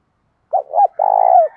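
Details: {'caption': 'Loud, clear-voiced spotted dove in a fighting and calling bout: two quick rounded coos then a drawn-out rolling, slightly descending coo, one phrase against a silent background.'}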